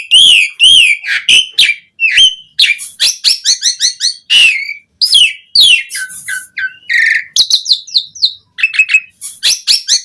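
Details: Varied Asian pied starling song, played as a lure to make other starlings sing, full of quick whistled slurs, rising and falling notes, and harsh rasping bursts in dense, fast sequences.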